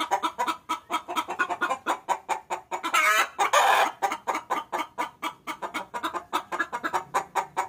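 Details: Hen calling to the rooster, used as a lure sound: rapid dry clucks about five per second, broken near the middle by a louder, drawn-out harsh call, then the steady clucking resumes.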